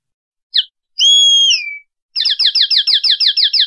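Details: Common linnet singing in the clean 'pardillo limpio' style of silvestrismo: one short chip, a long falling whistle, a pause, then a rapid string of sharp repeated notes.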